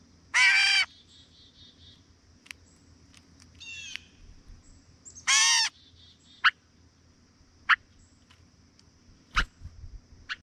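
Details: Gray catbird in a backyard while eating calls two harsh, nasal mews about five seconds apart, mixed with a brief squeaky note, scattered sharp clicks and a faint high steady whine.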